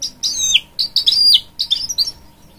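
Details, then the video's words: Hybrid goldfinch, a canary and goldfinch cross, singing to encourage young chicks: high twittering phrases with quick downward-sliding whistles, broken by short pauses. "A Hybrid Goldfinch Sings To Encourage Young Chicks"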